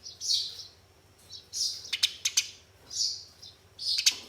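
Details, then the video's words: Fighting Eurasian tree sparrows, used as a lure to get caged sparrows singing: bursts of high, harsh chirps and sharp ticks, separated by short pauses, with a faint steady hum underneath. "Gereja Tarung Nyerecet‼️Pancingan Burung Gereja Macet Agar Cepat Bunyi Gacor"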